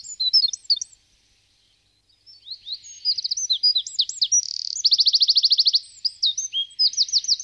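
Eurasian wren pouring out high, rapid, varied notes with a fast rattling trill midway, after a brief pause; nothing else is heard.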